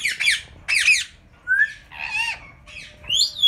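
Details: Indian ringneck parakeets, yellow birds kept as pairs in Mian Channu, mixing two rough squawks with a clear rising whistle, a buzzy chattering note and a final upward-sliding squeal, all fairly close.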